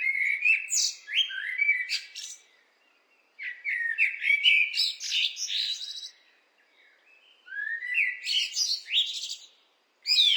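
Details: Three phrases of blackbird song, each a run of fluty, slurred whistles climbing into a shrill, scratchy flourish, separated by brief silences, on a clean background.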